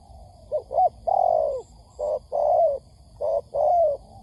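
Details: Spotted dove lure call for trapping, meant to stir wild birds into answering: three somewhat irregular cooing phrases of a quick double note leading into a drawn-out soft falling coo, with faint high ticks in the background.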